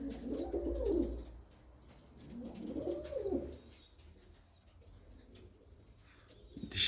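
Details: Domestic pigeons, a female reunited with her old mate after a long time alone; two deep rolling coos early on, then a run of repeated thin high chirps with quieter low murmuring.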